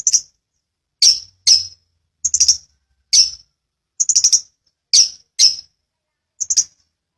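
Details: Long-tailed shrike in a bird-training master recording of vigorous rol rapat ngeplong singing: clipped scratchy high notes, some doubled or tripled, separated by short silent gaps over several seconds.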